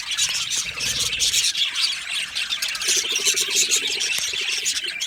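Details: Budgerigars in an aviary colony produce an unbroken, bright, hissy chatter of rapid chirps and twitters from many birds, fairly even in loudness, with a faint lower buzzing note now and then.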